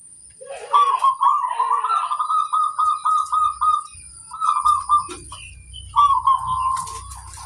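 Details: Zebra dove of local stock in active song, said to prompt other doves to answer; a long rapid rolling coo pulsing about four times a second, broken into three bursts, over a constant high-pitched hum and faint low rumble.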